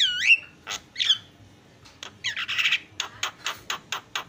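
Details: Javan myna sequence opening with two sharp slurred whistles, then a harsh buzzy burst and a run of evenly spaced clicking notes about four per second.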